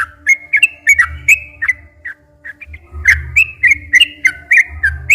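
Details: Lure song of a sooty-headed bulbul, long and rapid, played to rouse captive bulbuls. Bright whistled chirps tumble quickly with a brief lull midway, then resume densely. A faint steady tone and low hum in the background.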